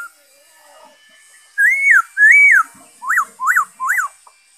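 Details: A black-throated laughingthrush whistles loudly on 5 May 2021: two long arched notes rising then falling, followed by three quicker peaked whistles in even succession.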